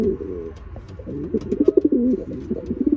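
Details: Racing pigeons during pairing up, a run of low throaty cooing phrases with pulsed bubbling notes, steady and continuous, light clicks and shuffling around.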